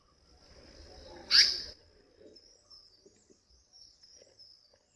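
Indian paradise flycatcher giving a single harsh, rasping note, with a steady high insect-like whine and faint background noises.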